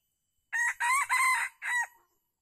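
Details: Red junglefowl crow at Calang, Aceh Jaya, recorded 12 February 2020 while a wild bird was being lured by a captive decoy; four harsh, clipped syllables in quick succession, the middle two longest, with the last cut short.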